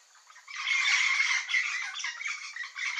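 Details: Yellow-faced parrots in a flock, a continuous wall of grating squawks and chattering notes starting after a brief quiet moment.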